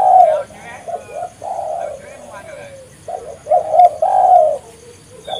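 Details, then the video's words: Spotted dove calling vigorously, used for luring birds: mellow, low coos in short bursts, some paired and some drawn out, with brief pauses between phrases. "suara burung tekukur gacor paling ampuh untuk pikat dan pancingan"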